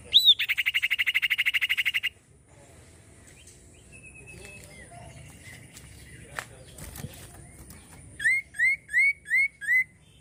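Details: Common iora opening with a loud buzzing trill. After a quiet gap of faint chirps come five separate upward-sliding whistles spaced roughly a third of a second apart.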